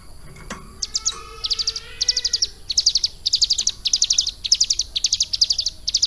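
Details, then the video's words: Hill prinia kept in a cage and tutored for three months with lovebird material delivers clusters of bright, high chirps in rapid groups, steady and repeated throughout, after a brief soft start with a knock. "CIBLEK GUNUNG GACOR ISIAN LOVE BIRD"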